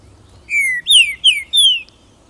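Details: Pixarro, or Green-winged Saltator, delivering a bright whistled phrase: one drawn-out descending note followed by three rapid, sliding, downward whistles, strong and clear, with only faint low background hum.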